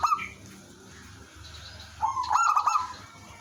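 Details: Singing village zebra dove kept as a lure so wild doves reply: a brief coo at the start, a quiet stretch, then a loud burst of quick clipped notes merging into a rolling trill.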